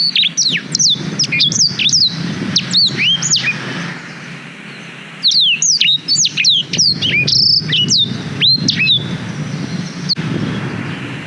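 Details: Long, lively song of a black-throated canary, used as a canary tutor, recorded on a GoPro Hero 5: two dense bursts of high, swooping and falling whistles with a short quiet break between them.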